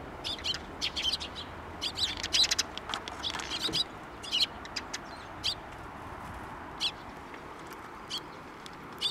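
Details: Sparrows flying in to get food near a Tenmangu shrine, 19 April 2024: a cluster of quick high chirps early on, then scattered single chirps with pauses between.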